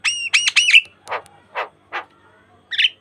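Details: Asian pied starling song serving as a lure for training starlings: three loud looping squawked whistles, then three separate hoarse rasping notes and a final short squawk.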